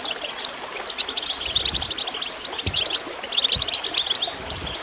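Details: Goldfinch song for stimulating birds to sing: lively twittering with sharp, clear chirps and brief trills, in uneven bursts over gurgling water and a few low knocks.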